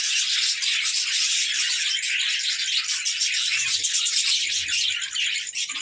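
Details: Playing budgerigars chattering as a group, giving a steady stream of overlapping high chirps and buzzy warbles, busy and unbroken throughout.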